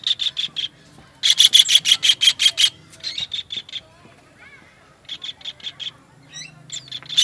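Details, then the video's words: Harsh, scratchy kingfisher notes from a master recording meant for training songbirds. They come in fast regular bursts, the loudest run of about nine notes early on. A softer wavering whistle sits in a quiet middle gap. "MASTERAN TENGKEK UDANG"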